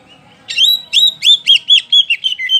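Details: Oriental magpie-robin, kacer poci, sings boldly as a lure for other songbirds: a short rising whistle leads into a rapid string of bright, chopped slurred notes.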